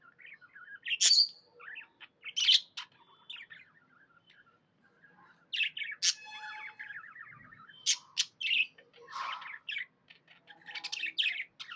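A budgerigar chirps and warbles in quick, scratchy bursts of high notes.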